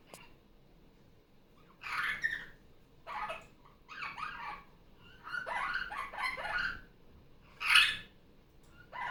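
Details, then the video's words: Sunday morning play indoors for a pet female superb parrot freshly off her nest: repeated short harsh squawks, some doubled, spread across several seconds, with tablet playback of other superb parrots in the background. "Barraband parakeet sounds. Sunday morning playtime."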